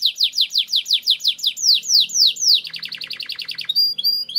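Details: Canary in energetic full song with a long roll, used as a lure to train other canaries into champions: series of repeated downslurred whistled notes, then a fast trilled rattle and short high pure whistles.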